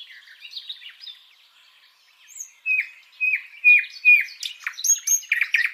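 A nightingale sings a varied phrase: soft twittering notes, then a run of rich whistles repeated about twice a second, ending in harsh rattling notes.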